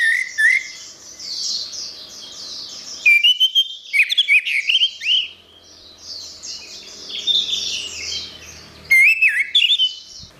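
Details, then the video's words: Orange-headed thrush singing gacor-style for a songbird training recording. Bursts of fast, varied whistled phrases with quick up-and-down slurs come in three bouts, separated by a constant chorus of high chattering notes. "Suara Burung Anis Merah | Gacor"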